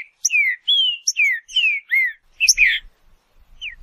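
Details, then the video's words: Green-winged saltator, trinca-ferro of Brazil, singing a run of loud, clear whistled notes, each sliding downward, repeated about every half second, then a brief pause, a burred double note and one last falling whistle. "Seu Trinca Ferro vai pegar fogo em 15 minutos"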